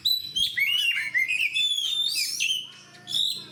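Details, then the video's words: Oriental magpie-robin in fighting condition pouring out a fast, varied warble of whistled slurs, harsh chatter and high sharp notes, dense for three seconds before a brief quiet and a final phrase. "SUARA KACER GACOR DAN FIGHTER"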